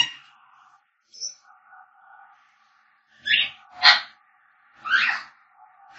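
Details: African grey parrots whistling and calling: faint steady whistled tones held for long stretches, then three louder rough squawky notes near the end, indoors.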